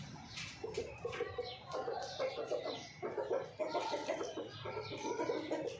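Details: Hens clucking around mating, a busy run of short repeated clucks and cackles from several birds overlapping, with higher squawks breaking through now and then.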